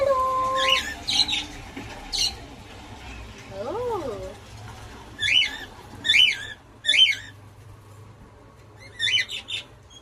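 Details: Pet cockatiel at home giving short, sharp, harmonic-rich chirps, some in quick pairs or triplets, spaced roughly a second apart, with a lower wavering tonal note midway and faint steady room hum underneath.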